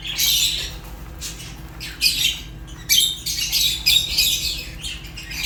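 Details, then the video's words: African lovebirds, Fischer's named, give separate bursts of scratchy high chirping roughly every second, with quieter spells between the louder squawky outbursts. "African lovebirds chirps sounds | تغاريد فيشر غندور روز"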